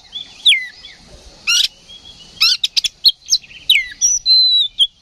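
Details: Oriental magpie-robin singing, roused to fight by a decoy recording: varied whistled notes and sweeping slurs around high pitch, mixed with sharp buzzy bursts and a long steady whistle near the end.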